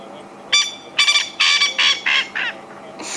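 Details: A male francolin at Djuma/Arathusa in the wild African bush gives a harsh, grating series of rapid cackling notes at sunset, a territorial chorus telling other males this is his place and advertising to females; another male answers further away.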